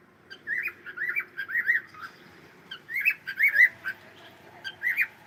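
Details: Pet cockatiel song of repeated looping whistled notes, a run of four wavy phrases, a pause, then further bursts of bright warbling whistles.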